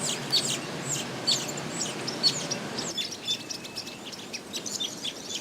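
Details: Village weavers chatter while building a nest, with busy, scratchy high notes and short sizzling buzzes, about one a second, over a steady hiss of background noise.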